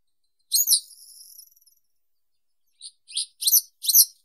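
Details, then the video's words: Western yellow wagtail (Motacilla flava) gives a sharp, high buzzy note trailing into a thin rattle, then after a pause four short, rising high chirps. "Как поёт Трясогузка жёлтая"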